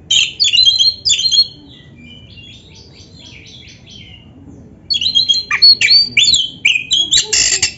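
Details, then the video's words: Oriental magpie-robin song used to goad caged birds into replying: loud rich chattering phrases, a quiet stretch of faint notes, then a burst of harsh, buzzy and whistled calls. "SUARA KACER GACOR FULL ISIAN"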